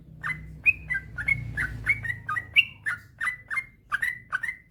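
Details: Yellow-vented bulbul singing on a master track used to make sluggish bulbuls sing: rapid, liquid chirping phrases with bright whistled endings, steady and continuous, over a faint low rumble.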